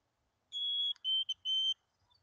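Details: Wild chickadee at its nest cavity near Emigrant, Montana, on 18 June 2022: clear, pure whistled notes, a long high tone followed by three slightly lower notes, the third short, all within under two seconds against near silence.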